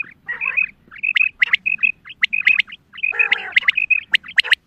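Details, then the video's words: Female quail (Садои бедона мода, madi) giving rapid, harsh, high chattering notes in quick bursts, several per second, with sharp clicking peaks between them and a faint low hum beneath; special hunting call. "Batair ki awaz Quail sounds Садои бедона мода bedana ovozi بٹیروں کی سپیشل شکاری آواز"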